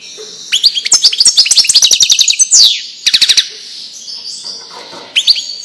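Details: European goldfinch in Wedani-style song, played for young birds to learn from: bursts of high, rapid twittering trills with sharp rising and falling notes, broken by short pauses and a fainter buzzy stretch near the end.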